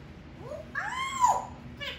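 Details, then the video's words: Talking 16-year-old African grey Congo parrot, kept indoors in Florida, saying hello pretty girl: a smooth voiced word arching up then down in pitch, then a short softer syllable, in a quiet room. "Parrot talking Hey pretty girl"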